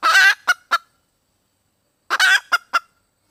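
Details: Red junglefowl hen seeking a mate: two raspy cackle phrases, each opening with a coarse drawn note and closing with two short staccato clucks, separated by a quiet pause.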